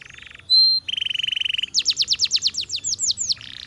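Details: Canary song opening with a low rattling trill and a loud pure whistled note, then a buzzy roll and a run of about ten rapid falling slurred notes ending in a short trill.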